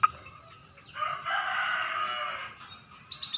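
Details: Scaly-breasted munia in song: a sharp tick, then a long, strained, hissing whine lasting over a second, followed by a few thin high notes.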